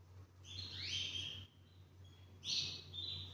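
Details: Male Spanish Timbrado canary, two years old and half frill, gives two loud high rolling trills about two seconds apart, each a metallic warble, over a low steady hum.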